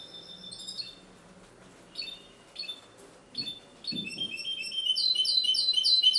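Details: Singing goldfinch hybrid, Ksar el Kebir: short separate chirped phrases spaced about half a second apart, then a fast, loud run of repeated twittering notes building to the end.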